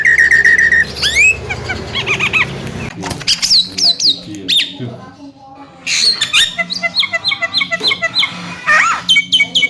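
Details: Javan myna song, loud and varied, meant to prompt a quiet myna to sing: clear whistles, falling slurred notes, harsh squawks and a fast string of clipped chattering notes, over steady background music.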